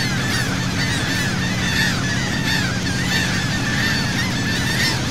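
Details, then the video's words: Seagull flock calling around a boat at sea, Saint Martin, Cox's Bazar, Bangladesh; loud, harsh, arching calls tumble over one another continuously, backed by the drone of the engine. "Wonderful Seagull Sound from Sea Boat"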